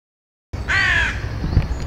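A carrion crow gives one harsh, drawn-out caw lasting about half a second, followed by low background rumble.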